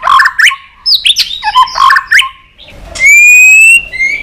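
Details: White-rumped shama, tail-flicking on its perch, sings many-voiced long song: quick burst of chirps and slurred whistles, then a brief pause and a long pure whistled note held almost a second, followed by a shorter higher whistle.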